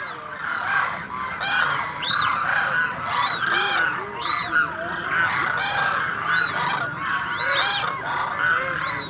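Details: A flock of demoiselle cranes (Grus virgo) calls without pause, many birds overlapping in rolling, trumpeting croaks over a steady background hiss.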